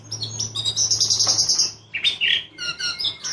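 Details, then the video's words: White-rumped shama singing in a loud, clear, harsh rolling style, with a long buzzy trill followed by sharp whistled and chattering phrases, over a low steady hum. "Ciung batu gacor rol tembak suara kasar jernih"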